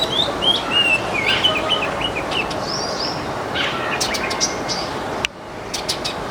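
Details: Backyard flock of Baya weavers eating grains, giving rapid, irregular high chirps and short twittering notes over a steady chattering background, with a sudden drop to quieter, scattered chirps near the end.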